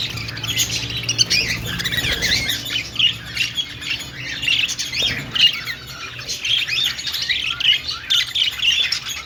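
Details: Group of budgies, or parakeets, chirping in a pet-store aviary, with busy overlapping warbles and sharp squawky chirps, some notes repeated in quick bursts over a steady high chatter.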